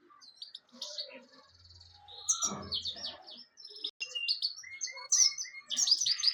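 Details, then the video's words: European goldfinch singing: rapid, varied twittering of short high buzzy and tinkling notes, run together in a continuous, jumbled stream that grows louder toward the end. "golden finch singing nicely طيور الحسون الذهبي تغني بشكل جميل"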